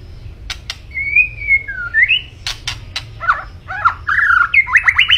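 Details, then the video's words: A vigorously singing white-rumped shama gives a long level whistle, a short rising note, then rapid rolling whistled phrases, interspersed with sharp clicking sounds over a low hum. "Kicau Burung Murai Batu Gacor"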